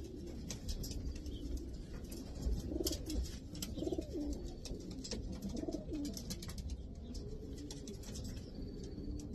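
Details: Racing pigeons of the Davy Van Roy line, held by a fancier in Pakistan: several low, rolling coos swelling and fading near three, four and five and a half seconds, over a steady low rumble with scattered sharp clicks and flutters.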